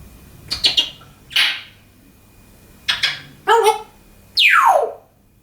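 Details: Pet African grey parrot indoors, talking and making funny sound effects: rough, buzzy voice-like bursts followed by a loud, sweeping, falling whistle.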